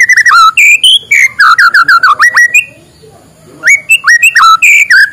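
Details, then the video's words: Morning white-rumped shama song intended to get idle shamas singing: rapid rich whistled phrases and upward sweeps, a silent gap of about a second, then more varied rising and dipping whistles. "suara muraibatu di pagi hari, untuk pancingan muraibatu malas bunyi"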